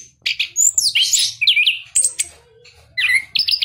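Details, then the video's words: Orange-headed Thrush, a caged bird bred in southern Malang, in full gacor song: a tumbling burst of bright whistles and trills, then a brief lull and a final pair of sharp, rising notes. "anis kembang gacor"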